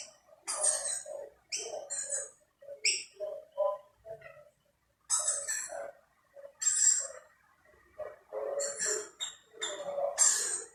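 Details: Rainbow lorikeets feed from two snack plates while a dominant male chases off intruders, sparing only his family. Repeated harsh, shrill screeches in clusters mix with lower chattering notes throughout.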